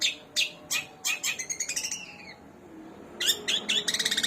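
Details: Long-tailed shrike kept as a songbird, singing mimicry material of sparrow, kunti and tengkek buto: rapid harsh chattering bursts, several spaced notes, then a fast buzzy rattling series, with quieter sliding notes between.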